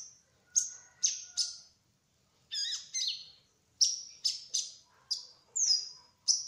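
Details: Kolibri ninja (sunbird), trotol (mottled-plumage) bird, singing gacor ngerol in sustained rolling song: sharp, very high chirps and short sweeping notes in spaced bursts, some clustered in quick pairs and triplets, with brief silent gaps between.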